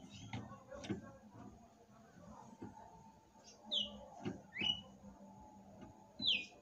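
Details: Red-cowled cardinal singing at night: clicks and knocking early on, then three clear whistled notes, each sliding downward, spaced about a second apart over a low hum.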